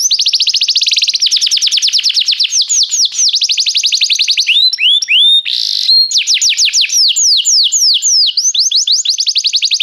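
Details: Restless canary singing a loud, clear high song of rapid repeated downswept whistles in long trills, shifting into slower curved notes and a brief buzzy burst, then fast trills again.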